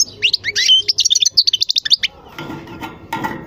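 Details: European goldfinch giving a burst of fast, tinkling twitters and short trills for about two seconds, then falling quiet while softer background noise and a few faint clatters follow.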